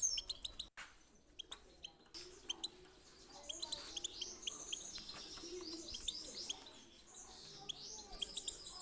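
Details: European goldfinch singing, used to encourage birds to sing: a busy run of high twittering and tinkling notes with quick chirps. A few sharp clicks come early, over a soft low background murmur.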